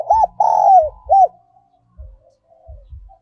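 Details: A giọng còi, or giọng kim, spotted dove decoy phrase: a short arched coo, a long downward-sliding coo, then another arched coo. Faint soft coos and low thumping knocks follow.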